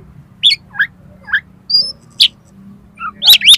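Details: Oriental magpie-robin with filler song material, played to provoke contest birds: spaced, sharp upslurred whistles and chips about every half second, ending in a louder cluster of high, rising notes over steady low hum.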